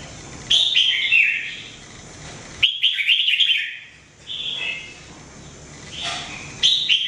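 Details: Red-whiskered bulbul, locally jambul, singing every day for training; clear whistled phrases sliding downward, a busy rapid warble in the middle, pauses with faint background hiss.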